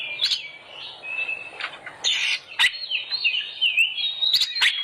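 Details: Oriental magpie-robin lure song for making birds sing: quieter warbled whistles and harsh squawky notes, with sharp clicks and a steady low background hum.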